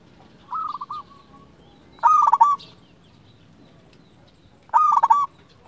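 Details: Singing local zebra dove, recorded to stir quiet zebra doves into answering: a soft rolling coo phrase, then two loud, quick, staccato cooing bursts roughly three seconds apart.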